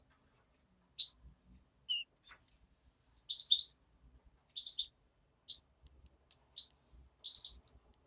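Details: Hand-reared European greenfinch chick: a thin high drawn-out whistle at the start, then clusters of quick double and triple chirps roughly every second, with faint low knocks beneath.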